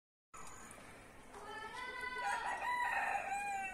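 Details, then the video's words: Red junglefowl, wild chicken, crowing: a rising harmonic call building to a long drawn-out final note, with clucking-like onset and some background noise. "wild chicken"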